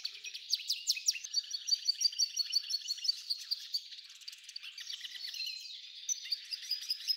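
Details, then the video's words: F1 hybrid goldfinch in full song, singing a lot: quick, high, twittering phrases mixing sharp downslurred chirps, buzzy rattles and evenly repeated notes, with a brief softer pause midway and no other sounds. "Belo canto do F1"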